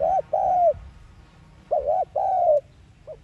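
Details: Spotted dove cooing, thúc gù decoy style, played to encourage kept doves to coo. It gives two quick pairs of smooth coos, the second note of each pair longer and falling, then a faint short note.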